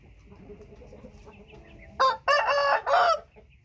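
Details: White-tailed Thai rooster gives a single loud crow: a short clipped opening note, then a long harsh middle phrase and a falling final syllable. Soft clucking and low murmur precede it.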